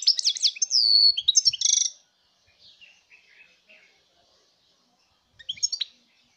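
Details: A European goldfinch, recorded in 2019, sings a fast, tinkling run of bright twitters and liquid trills, pauses with soft chips, then gives another brief twittering burst.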